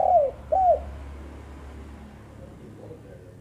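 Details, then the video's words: Female spotted dove giving two mellow, downward-slurred coos in quick succession, followed by quiet background hum. "burung tekukur betina"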